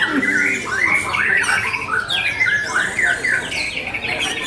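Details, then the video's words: White-rumped shama with small-bird material at a bird club's 25th anniversary gathering: quick sequences of bright, sliding whistles and chattering squawks, phrases tumbling one into the next, with faint background voices. "murai batu milik Om Aldy Putro joyo || materi burung kecil"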